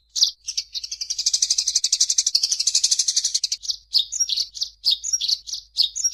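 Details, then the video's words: Oriental white-eye training song: a fast buzzy trill of rapidly repeated high notes lasting about three seconds, followed by separate sharp chirps at roughly four per second. "masteran burung pleci"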